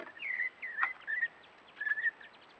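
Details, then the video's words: A large flock of Mulga Parrots (Psephotus varius) in the Mallee near Patchewollock, Victoria, giving short, sweet whistled chirps around two kilohertz in three quick bursts, with faint overlapping calls from others. "A multitude of Mulga Parrots (Psephotus varius)"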